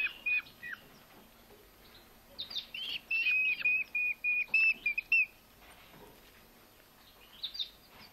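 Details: Rescued, starving Eurasian hobby nestlings, found on a road on an August evening in Hungary, calling while being fed at a bird rescue centre: a run of thin, high whistled notes repeated quickly, with rustling and handling noises.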